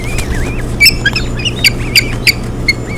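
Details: At an osprey nest on Hog Island, 7 June 2017, with three chicks being fed: wavering thin whistles and a few sharp bright chirps in quick succession, low hum beneath.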